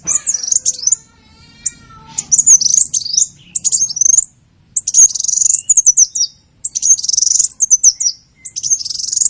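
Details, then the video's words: Bursts of high, dense, twittering chirps separated by short pauses, with scratchy, buzzy texture throughout. A call for luring small birds, with a faint low hum in the background. "SUARA PIKAT BURUNG KECIL"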